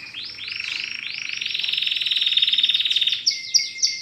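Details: Caged domestic canary, newly brought home and in training, singing loud rolling trills of repeated falling notes. They speed into a buzzy sustained roll, then break into separate bright whistled phrases.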